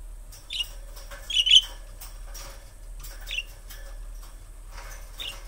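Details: Pet budgerigar excited by a newly arrived budgie on their first day together, giving short chirps around the upper range, a few seconds apart, with a brighter double chirp near the middle and soft rustling between.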